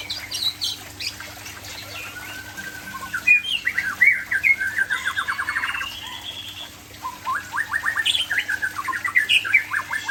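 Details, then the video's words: Aceh white-rumped shama in full song, mixing clear whistles, fast trilled runs of rising notes and sharp chattering phrases, with short pauses between bursts; low steady hum in the background. "Murai Aceh"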